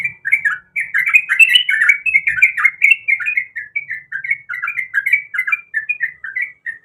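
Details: Calling female sooty-headed bulbul in breeding condition, delivering an unbroken chatter of short, bouncy slurred notes that is busiest at the start and then steadies into an evenly spaced series.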